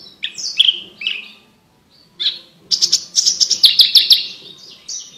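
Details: Javan bush lark singing actively, used as tutor song for training competition birds: high, clear varied phrases, sliding whistles and a quick run of sharp repeated notes after a short pause, with a faint low hum beneath.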